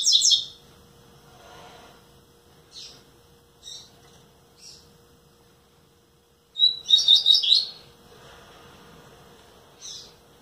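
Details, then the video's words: A nine-month-old (nearly ten) double-collared seedeater gives short, high, twittering song phrases in scattered bursts, with one fuller, rapid warbled phrase, over a faint steady hum. "Coleiro Pretinho Buiu dando uns cantinho!"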